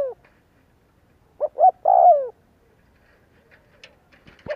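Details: A single spotted dove phrase used as a lure to excite rival doves to coo: two quick low notes and then a drawn-out, falling purr. Faint rustles follow.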